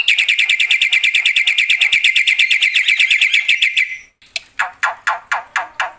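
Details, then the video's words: A black-winged myna in loud, full song with fill phrases: a long, fast rattling chatter for about four seconds, then a few separate harsh rasping notes. "suara KERAS jalak putih gacor full isian"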